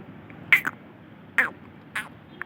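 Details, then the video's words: Green ringneck parakeet, a talking parrot, giving three brief harsh squawks about a second apart, each with a short scratchy tail, over a quiet indoor background. "Parrot talking | Green Ringneck talking | parrot sound"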